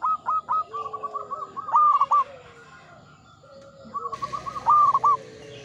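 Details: A local zebra dove sings in the Mataram ngepat rhythm style: quick runs of clipped cooing notes, each ending in stronger stressed notes. A second phrase follows after a pause, with background hiss and soft coos from other doves.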